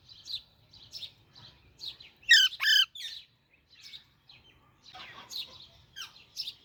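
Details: Alexandrine parakeet chick chirping in high, irregular tweets, with a loud rasping double squawk early on and a scratchy flurry of notes later.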